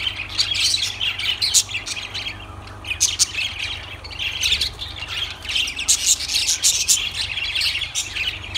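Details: Noisy lovebird squawking: rasping, shrill calls in rapid overlapping runs, loud and scratchy throughout, with a low background hum.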